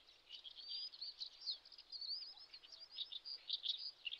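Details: Spoon-billed sandpiper (Calidris pygmaea): thin, high twittering with quick downslurred and upslurred chirps running together, fairly soft, a continuous chatter of short notes without pause.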